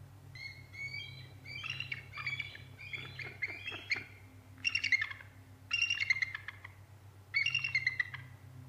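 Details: Loud, close bald eagle calling at the Decorah North Nest during a chase with a sub-adult, December 8, 2017 at about 2:21 pm: rapid stuttering chatter, then three strong bursts of shrill piping squeals about one and a half seconds apart.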